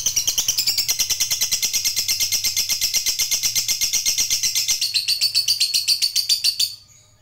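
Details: Fighter lovebird kept by bird hobbyists delivering a long ngekek: a nonstop, rapid, shrill chattering trill sustained for nearly seven seconds, pitch dropping slightly midway, then ending cleanly.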